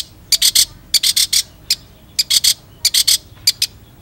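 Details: Gacor long-tailed shrike tutor recording: grating, scratchy notes in quick clusters of two to four, separated by short gaps.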